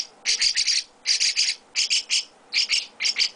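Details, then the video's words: Young chestnut-cheeked starling in an owner's care calls in grouped bursts of two to three harsh, hissing chirps, each group separated by short quiet gaps. "Chestnut-Cheeked Starling baby mukudori carinho"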